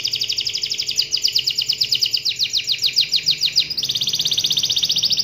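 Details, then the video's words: Singing canary, played to draw other canaries into song, delivering an unbroken series of rapid high sweeping notes that switches partway to an even faster, finer trill. "pancing kenari dengan ini ampuh bikin kenari lain ikut gacor"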